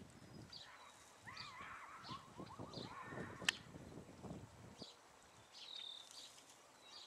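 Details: A Virginia rail in a drainage creek by a home in Indiana gives a quick run of rough, arching notes that tumble downward over about two seconds; faint high calls from other birds come and go behind.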